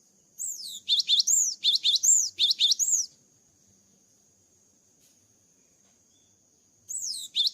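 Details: Post-moult Java sparrow delivering a burst of high chirps and curved whistles in rapid succession for about three seconds, then a long silence before the song resumes at the end.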